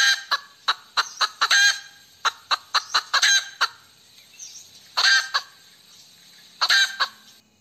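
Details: Hen cackling: a run of sharp, clipped clucks building to a drawn-out, harsh squawk near 1.5 seconds, then further bursts of short clucks and two louder rasping cackles later; quiet background otherwise.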